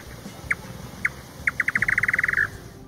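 Indian Nightjar: two spaced, knocking notes, then a quick run that speeds up like a dropped ping-pong ball bouncing to a stop.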